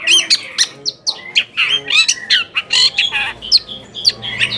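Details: Lure recording of a long-tailed shrike, meant to agitate rival shrikes into replying: dense scratchy chatter with sharp upslurred and downslurred squeaks packed closely together, loud and continuous throughout.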